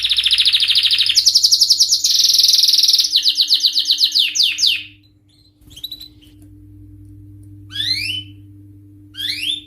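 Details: Male canary singing in high excitement: dense buzzy trills for about five seconds, then falling rapid phrases, a pause, and two short sweeping rising notes, with a low steady hum underneath.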